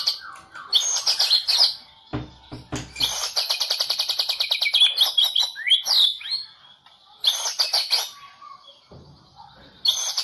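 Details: White-rumped shama of the Medan type, a national champion competition bird from the 2018 President Cup event, in full varied song: loud rapid high rattles, whistled swoops and sharp bursts separated by short pauses, with occasional low thumps.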